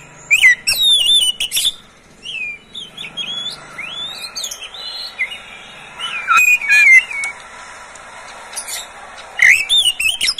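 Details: Captive Oriental magpie-robin song for prompting other birds to sing. Scattered bursts of sweet whistles, upward slurs and clicky notes are separated by short quiet gaps.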